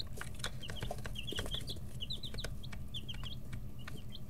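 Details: Chicks 11 to 13 days old in a brooder, noisy while pecking and stretching their growing wing and tail feathers; many short high peeps in quick overlapping runs, with sharp tapping clicks and a steady low hum beneath.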